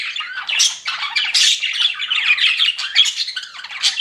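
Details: Chirping pet budgerigars indoors: a nonstop mix of grating warbles, clicks and bright short chirps, several birds calling over one another.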